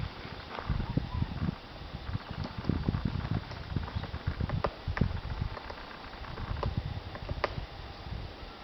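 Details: Woodpecker excavating wood in a forest nature reserve on a beautiful day, recorded on an old camera: irregular hard knocks, single blows and short uneven clusters, over a steady low rumbling background.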